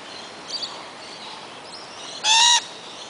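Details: Wild lorikeets in their own forest at Kioloa, Australia; one loud, harsh, strongly harmonic screech lasting under half a second, preceded by two faint short calls against a steady hiss of background noise.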